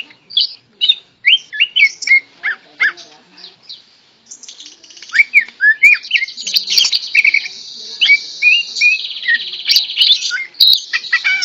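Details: A tame greater green leafbird in full song despite being held in the hand, pouring out varied whistled slurs and chirps, then a long buzzy rattling stretch overlaid with sharp downward-swept notes.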